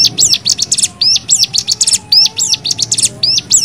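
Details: Cigun (lemon-bellied white-eye) singing in the rapid 'nembak' style, used as a tutor recording for training other birds: high, quick phrases of hooked whistled notes followed by dense chattering trills, repeated without pause over a faint low hum.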